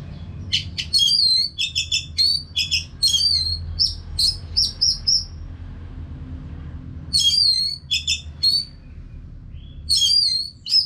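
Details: Caged Orange-headed thrush from Singaraja in North Bali, singing hard as a training sound for other birds. Rapid strings of clear, repeated whistled notes come in long bursts with short silences between. Faint low background hum.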